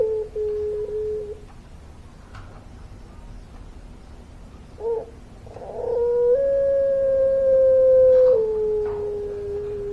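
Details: Puter pelung, a Barbary dove form, after quiet intervals with a short coo and faint notes, launches into a loud, long, level coo lasting about three seconds that then steps down to a lower held tone.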